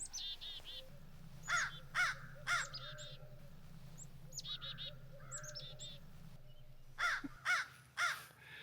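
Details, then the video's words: At dawn in early spring, an angry crow mobs a barred owl, giving harsh caws in two bursts of three about half a second apart, over thin high calls of small birds and a low rumble. "Sometimes I don't have to find the owl. I just listen for the crow to find the owl, and he's mad."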